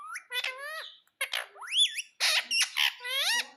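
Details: Pet parrot talking, said to be saying "mummy mummy"; a series of loud, sliding, harmonic squawk-like syllables in short bursts with brief pauses, indoors.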